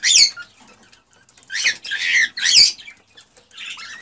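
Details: Cockatiel calls used to encourage breeding: three loud, harsh, harmonic squawks about a second apart, the last trailing into a softer rising note.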